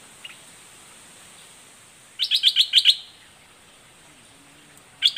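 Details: Red-whiskered bulbul, southern Thai form, giving a doubled, aggressive-sounding song: a brief burst of five rapid sweet chirps after quiet, then another phrase starting at the end.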